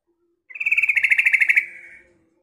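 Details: Yellow-vented bulbul female calling to draw in males: a single rapid, buzzy rattle of evenly spaced pulses, strongest at the start and fading at the end.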